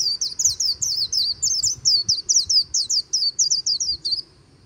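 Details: A white-eye sings a líu-style song by the Kỳ Cùng river, a continuous run of very high, fast, wavering chirps packed closely together, then stops abruptly, leaving faint background rumble.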